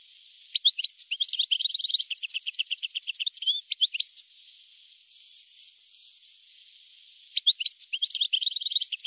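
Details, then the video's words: European goldfinch singing, from a very old recording made between 1982 and 1990. Long bursts of rapid repeated chirps run into liquid twittering. A quiet gap follows, then the bird resumes. Steady background hiss, narrow thin tone. "تغريد حسون قديم جدا (1982-1990) صوت رائع"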